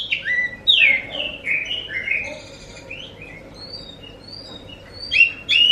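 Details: Oriental magpie-robin song played as a lure to make other magpie-robins answer: loud, varied whistled phrases, sharply rising and falling notes, some slurred down, with a quieter pause midway before bright whistles return; faint low background hum.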